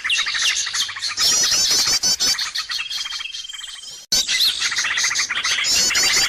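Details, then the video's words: Recording played to bring birds close: overlapping high twittering from many birds, a sustained thin whistle midway, a sudden cut, then dense chirping again. "SUARA PIKAT BURUNG RIBUT"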